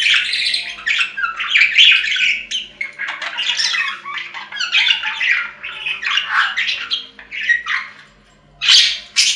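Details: Budgerigar chatter played for lonely pet budgies: continuous warbling, scratchy chirps and squawks overlapping without pause, with a faint low steady hum underneath.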